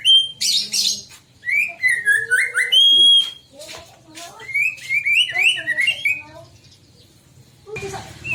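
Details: White-rumped shama song played to provoke other shamas into singing: loud whistled, rising and falling phrases with buzzy notes, pausing near the end before a harsh burst.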